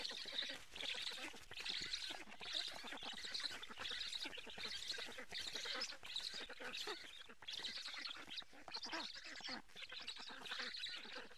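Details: Black storks at a nest in Karula, Estonia, filmed by a live nest camera in July during a fish feeding; dense, raspy, quacking calls pour out almost without pause, rough and nasal with harsh upper overtones.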